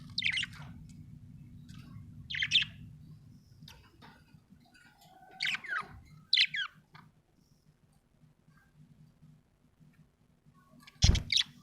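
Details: Budgerigar making happy chirps, scattered single sharp sliding notes separated by quiet gaps, ending with a loud clatter.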